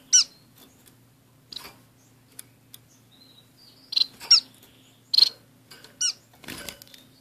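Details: A caged pair of orange-cheeked waxbills, active birds shown in a small cage with a society finch: scattered high, thin, slurred call notes, some in quick pairs, mixed with clicks and a brief rustle near the end.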